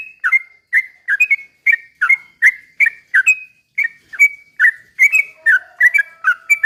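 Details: Sooty-headed bulbul in ropel pelan style, used to provoke other bulbuls to sing. Even, bubbly downslurred whistles repeat a little over once a second and grow denser toward the end, with a faint low tone beneath.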